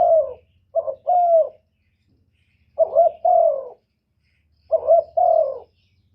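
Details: Spotted dove used as a decoy to attract wild birds, giving three separated coo phrases, each a quick soft note followed by a fuller, slightly falling coo, with long silent gaps and a faint low hum.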